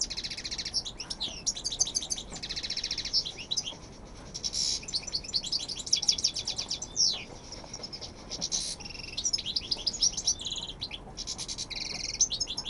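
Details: European goldfinch, a fine male ('jilguerazo') from Almería, Spain, kept within the silvestrismo finch-keeping tradition, singing a fast, continuous twittering song of high, sharp, buzzy notes and trills with short pauses between phrases.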